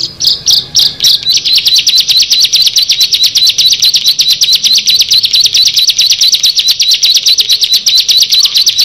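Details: A bar-winged prinia, one of six together, opens with a few loud separate chirps, then settles into a long, fast, even trill of high ticking notes lasting the rest of the stretch.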